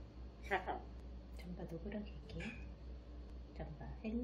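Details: A pet grey parrot speaking short, human-like Korean phrases such as 'kiss' and 'oh, pretty' in its owner's voice, with rising and falling pitch, over a steady low indoor hum.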